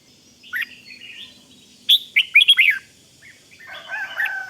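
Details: Red-whiskered bulbul rik song to rouse other birds: a lone whistled note, then a tight burst of four sharp fluty notes, ending in softer scratchy chatter over a quiet background.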